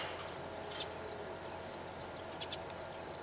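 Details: Wary-seeming meadow bunting on a ranch power line in Takaharu, Japan, repeating a chi-chi ground call: a brief high chip early on, then a quick close pair of sharp notes later, against constant low rumble.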